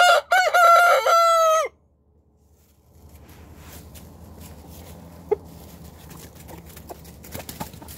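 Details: Morning crow from a rooster: a loud, rich crow in two bursts ends after under two seconds, then a silence, then soft background rustling and a few faint clicks while another bird forages for breakfast.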